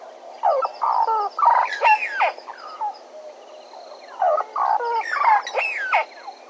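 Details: Bennett's woodpecker, Djuma, live camera: two lively bouts of chattering nasal notes with bent, sliding pitch, separated by a brief quieter gap, with faint hiss throughout.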